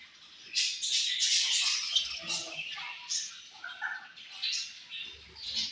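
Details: Colony of budgerigars during the morning meal: rapid, overlapping chirps and scratchy warbles from many birds, with a few clearer mid-pitched notes and soft knocking sounds.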